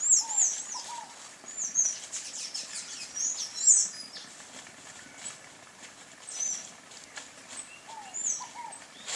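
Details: Sayaca tanager calling: clusters of shrill, high squeaky notes early on, then sparser chips, with quiet lower two-note whistles from another bird in the background.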